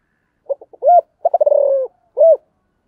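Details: Spotted dove calling and 'thúc' cooing: a few soft stuttered notes, a rounded arched coo, a quick pulsed roll sliding lower, then one final arched coo, with nothing else audible.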